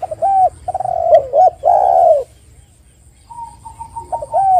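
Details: Lure call of a spotted dove meant to get other doves calling: short hooked notes and two long buzzy coos, about a second of silence, then the phrase starts again.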